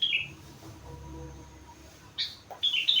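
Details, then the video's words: Four-month-old sooty-headed bulbul singing rengganis-filled song: a short falling whistle, then after a pause two quick bright whistled phrases near the end, over faint low background hum. "Burung Kutilang gacor isi rengganis cucak wilis"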